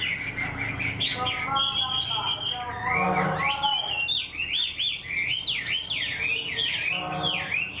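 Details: Wild-caught Chinese hwamei in a cage delivers a full song like a tame bird: a few nasal, throaty notes give way to a long series of loud, looping whistled phrases rising and falling rhythmically.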